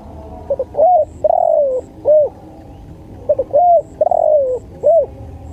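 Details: Spotted dove coos in a low, mellow phrase of short soft notes leading into a longer drawn-out coo, the phrase repeated twice over a steady background hiss.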